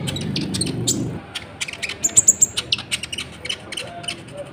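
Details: Sunbird, called konin or kolibri ninja, singing energetically as a lure to excite other birds. Dense sharp chirps and ticks with a brief, very high pulsed trill in the middle, over a low rumble at the start.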